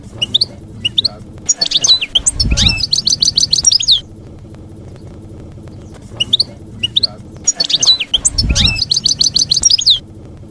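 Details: Goldfinch campero song, played so young goldfinches learn it: two bursts of bright, rapid tinkling trills about six seconds apart, separated by a quiet hum, with a low thud during each burst.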